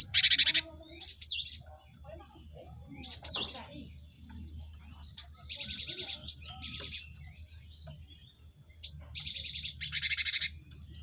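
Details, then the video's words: Cinereous tit song played to get group-caged birds singing quickly; high whistled slurs and rapid buzzy chirp trills come in spaced bursts, broken by loud harsh broadband rasps at start and end, over a steady high hum. "Pancingan gelatik batu untuk merangsang burung ombyokan cepat bunyi"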